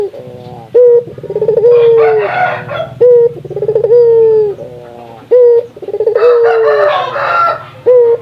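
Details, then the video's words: Lively local puter dove from the Indonesian archipelago, calling to stimulate other doves to sing: repeated mellow coos, each a short sharp note followed by a pulsed, sustained tone, about every two seconds, with harsher rustling bursts between phrases. "Suara burung puter lokal gacor, merangsang burung puter agar rajin bunyi"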